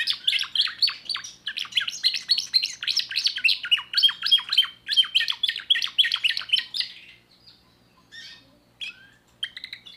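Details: Song of a young timbrado canary hatched in 2024: about seven seconds of quick repeated trilled syllables, then the song breaks off into a few scattered, quieter chirps.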